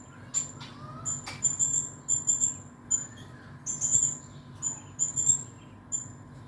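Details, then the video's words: Male blue-crowned hanging parrot singing actively, the kind of bird kept as a song tutor and entered in contests; thin, very high shrill notes, short and sharp, repeated in an uneven series of about a dozen with brief gaps. "Burung Serindit Gacor"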